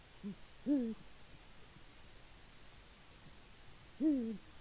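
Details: Nest-camera recording from Latvia, 5 March 2018 around 6:22 am: a male Eurasian eagle-owl calls for its mate, a soft short note then a deep arched hoot, repeated about three seconds later, with quiet hiss behind.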